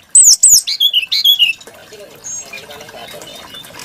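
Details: Brown-chested jungle flycatcher, prized for a varied and sweet song, delivering a quick burst of loud, descending slurred whistles and warbles, followed by softer low murmuring notes and faint high chips.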